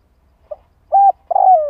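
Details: Short burst of spotted dove cooing, used to lure doves. A faint short note, then a level coo and the start of a longer coo that slowly slides down.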